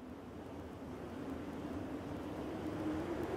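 Low droning engine rumble with wind, its hum slowly rising in pitch and loudness toward the end.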